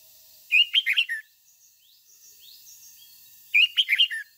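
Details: Red-whiskered bulbul decoy singing 'ché' style to rouse wild-caught and home birds: a lively phrase of four or five fluty, warbling notes, a quiet gap, then the same phrase repeated three seconds later.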